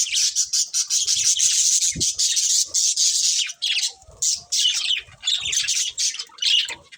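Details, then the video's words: Several pet budgies chirping together, a steady stream of buzzy, chattering twitters and squeaky notes with brief gaps, plus a soft low thump near the two-second mark. "Cute Budgies Chirping Sounds"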